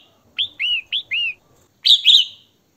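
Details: Female red-whiskered bulbul calling to stimulate males: four quick, clear whistled notes, arching and slurred, then a brief burst of two harsher, chattering notes.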